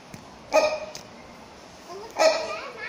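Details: Rhinoceros hornbill of the subspecies silvestris at Chester Zoo giving two loud, nasal honking calls about a second and a half apart, with visitors' voices and children in the background.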